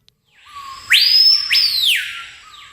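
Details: Screaming Piha gives a soft low whistle, then two explosive upslurred whistles that swing sharply upward and trail off in a long ringing note; the call is described as reaching about 110 decibels at roughly 3.2 feet.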